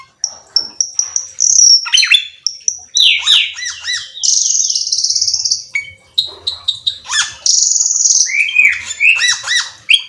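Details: Black-winged myna song: a loud, varied run of high whistles, sharp chips and harsh buzzy notes, with rising and falling sweeps and some long, strident held tones, delivered almost without pause.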